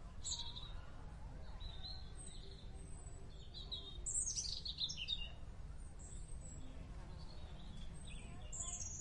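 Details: In the wild, a free merbah bulbul repeats thin high chirps, then a rapid cluster of descending warbled notes, followed by further scattered whistles, over a low rumble.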